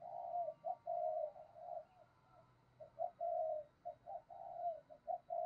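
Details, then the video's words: Spotted dove decoy calling to entice wild doves, heard farther off: a steady run of low coos, short and long notes alternating without a pause, over a faint constant hiss. "tiếng chim cu gáy kích bổi"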